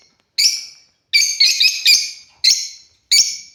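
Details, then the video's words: African lovebirds kept as pets, playing: loud shrill chirps, one cluster of three quick notes in the middle, others single, each with a harsh buzzy edge. "Love Birds #playing"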